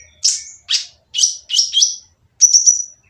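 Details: Oriental magpie-robin giving a harsh, noisy song meant to provoke silent birds into singing: separate bright phrases, each a sharp downward sweep ending in a high whistled tail, repeated about every half second, no other sounds.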